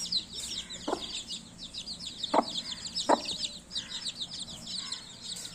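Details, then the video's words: Baby chicks keep up a steady high-pitched chirping chorus of rapid overlapping peeps, while three sharp clicks or knocks stand out clearly in the first half. "Baby 🐤Chicks chirping sound"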